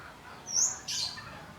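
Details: Young wild forest prinia learning its song, with two short, very high, thin notes in quick succession: a brief whistle followed by a slightly lower buzzy note, over quiet background hiss.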